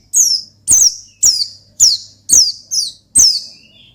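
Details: Oriental white-eye giving a gacor ngalas to provoke a rival: about seven loud, high, steeply descending chirps, roughly two per second, fairly steady in rhythm, with a faint background hum.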